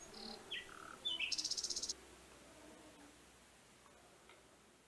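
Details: A common nightingale, filmed in a garden on 26 April 2021, sings a short phrase of varied whistles and slurred notes, then a fast burst of about ten harsh, ringing notes before going quiet; the audio may be a separate recording.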